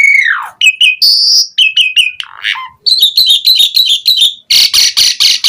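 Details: Lure recording of an Asian pied starling singing to draw replies: a falling whistle, varied clear whistled notes, a fast string of chirps, then several loud harsh rasping notes repeated about twice a second.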